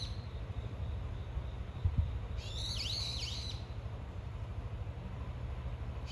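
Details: Brown-eared bulbul giving a quick burst of sharp, high, downward-sweeping chirps, about a second long, amid constant low rumbling background noise.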